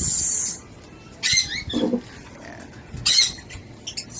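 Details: African lovebirds kept in a homemade colony; shrill, harsh chattering calls in short bursts, with one lower squawk in between and quiet gaps.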